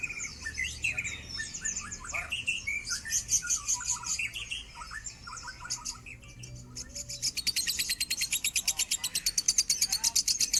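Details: Minor standard-tone lovebird song for training cage birds, opening with jumbled squeaks and chattering twitters, then breaking into a fast, regular burst of piercing high chirps that grows stronger.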